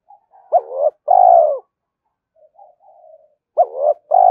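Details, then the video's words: Rival-luring cooing of a spotted dove, urging and calling: repeated phrases of a short bent note then a drawn-out descending coo, with soft low mutterings filling the pause before the next phrase starts. "tiếng cu gáy kích bổi nhanh nổi hiệu quả, tiếng thúc và gáy gọi"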